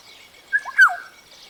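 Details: Black-tailed Oriole (Oriolus percivali), African species, calling: a brief, liquid whistled phrase of two or three fluty notes slurring downward, over soft hiss and faint distant birds.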